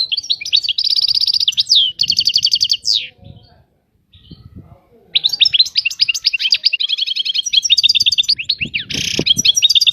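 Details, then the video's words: European goldfinch singing: fast liquid twittering with rapid buzzy trills and downward-sweeping whistles, high-pitched, broken by a short silence near the middle, faint low rustling below. "طائر الحسون. اجمل الطيور المغردة Goldfinch. The most beautiful songbirds"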